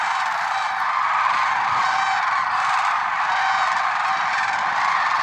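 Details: Lesser sandhill cranes at dawn in February 2023 at Merced National Wildlife Refuge, their massed rolling, bugled calls overlapping continuously into a dense, level chorus.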